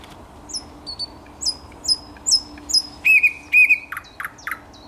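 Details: Thrush nightingale in song, recorded 10 May 2021. Five thin, high, falling whistles are spaced evenly, then come two louder, lower slurred notes and three short, abrupt chip notes.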